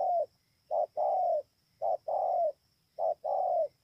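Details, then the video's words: Clear close spotted dove song, Bờ Y, Kon Tum, Vietnam, on 28 November 2017. Three neat phrases, each a clipped coo followed by a longer gently descending coo, spaced about a second apart over a quiet background. "CU GÁY"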